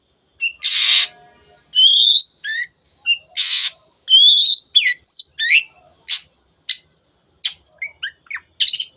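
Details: Long-tailed shrike in full song: grating buzzy blasts mixed with quick twisting whistles and sharp chips, delivered in an irregular, energetic sequence with brief pauses.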